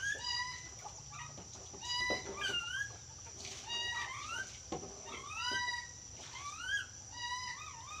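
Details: Talking yellow-crested cockatoo producing a run of voiced, wavering harmonic phrases, some rising and some dipping, in quick succession with short pauses, over a constant faint high-pitched whine.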